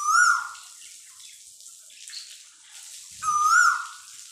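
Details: Koel calling: two loud, clear whistled notes about three seconds apart. Each note holds a steady pitch, rises slightly, then slides downward. A quiet hiss sits in the background.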